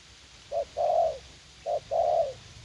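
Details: Two phrases from a young spotted dove used as a fight-eager trapping decoy in a garden at U Minh: a short hollow coo followed by a long, slightly falling one, evenly spaced.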